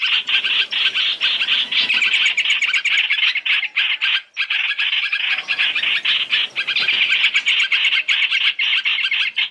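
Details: Masked laughingthrush lure for trapping, three-in-one: raucous, rapid chatter of about four notes a second, briefly broken near the midpoint before resuming at full strength.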